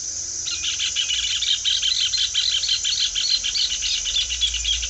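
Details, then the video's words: Rufous hornero song: a loud, fast run of sharp, high chattering notes carrying on steadily for several seconds, with a faint low rumble behind. "CANTO DO JOÃO DE BARRO"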